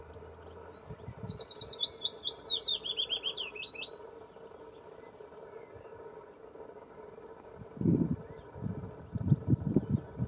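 A willow warbler sings one soft, sweet phrase of high notes that cascade gently downward over about three seconds; low rumbling noise follows near the end.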